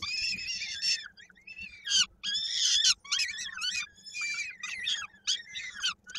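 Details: Nestling peregrine falcons in Koszalin, Poland, 16 May 2022, during a feeding by the female where a chick's foot is stuck in a beak: a long grating wail, then choppy squealing screams tumbling one after another, with a faint continuous hum.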